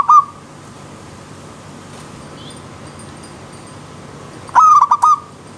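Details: Zebra dove (perkutut) singing in wild nature by a river stream: a brief clipped note at the start, then after a quiet stretch one rapid bout of three or four pulsed, rolling coos over steady background hiss.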